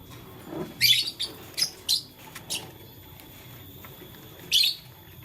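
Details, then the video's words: Blue, lutino and green lovebirds playing with a flower in the morning, giving short harsh high chirps in quick bursts, about six over five seconds, with a steady faint background hum. "Blue Lutino Green LoveBird Playing Flower - Chirping Sound"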